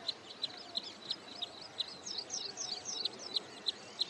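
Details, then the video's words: Wood sandpiper at Hoskote Lake, Bangalore outskirts, Karnataka, on its wintering grounds: high, sharp single notes about three per second, breaking midway into a rapid warbling, yodelling song of rising-and-falling phrases, sung when another individual comes close, over faint background noise. "Wood Sandpiper Calling and Singing"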